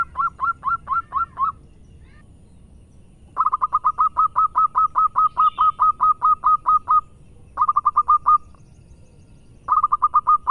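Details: Persistent song of a local zebra dove from Indonesia: fast staccato coo series, one running to about eighteen even notes, separated by short pauses, with low background rumble throughout.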